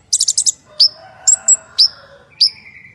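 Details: Purple-throated sunbird (kolibri ninja), a singing bird in full voice with 'tembakan kasar' rough bursts: a fast series of five high buzzy chips, then separate sharp high downslurred whistles with short trailing tones, over a faint steady background hum.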